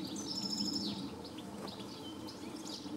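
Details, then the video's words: European goldfinch recorded on 4 July 2014 at Planina Gornja, Croatia: quick, high, tinkling twitters and thin trilled notes in a busy sequence, over a steady low rural background hum. "Ptice Hrvatske - Češljugar (Carduelis carduelis) (Birds of Croatia - Goldfinch)"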